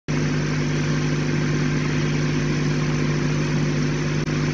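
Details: A loud, steady engine drone with a strong low hum and no animal voices, briefly cut off near the end.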